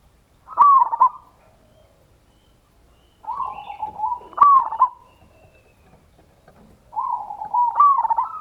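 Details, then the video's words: A local zebra dove (perkutut) gives three bursts of rapid, rolling cooing notes near one pitch, each about a second or more, with short pauses between. It is used as a lure sound to provoke other doves to answer. "perkututlokalgacor suara besar - PANCINGAN NO.1"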